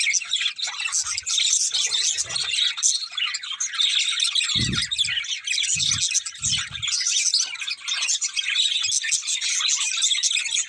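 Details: Pet budgerigar pair keeps up a lively, nonstop chatter of rapid high chirps, squeaks and warbled notes, with a few dull low thuds in the middle.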